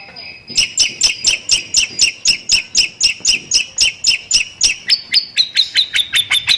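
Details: A long-tailed shrike opens with a short whistle, then fires fast, tembakan-style bursts of lovebird-like double chips, roughly four per second, that slide slightly lower in pitch toward the end.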